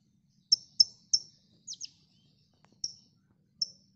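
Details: Konin song from a recording made for training songbirds: sharp, very high chirps and short downslurred notes, spaced irregularly with brief gaps, over a faint low hum.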